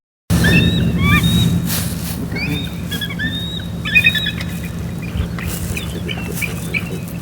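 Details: Bald eagle (Haliaeetus leucocephalus), call.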